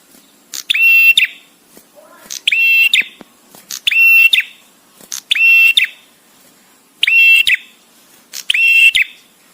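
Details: Male bar-winged prinia in visiting-male ('prenjak tamu') song, with spacing suited to master training. Six buzzy, ringing phrases of under a second each, coming at irregular intervals of about 1.5 seconds, with a faint low twitter near two seconds.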